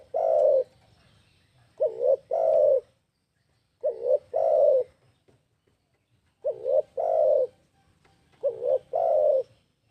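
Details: Spotted dove, called tekukur locally, giving a series of low cooing phrases, each a short wobbling note then a longer steady coo, repeated roughly every two seconds, five phrases in all, with a faint low background hum.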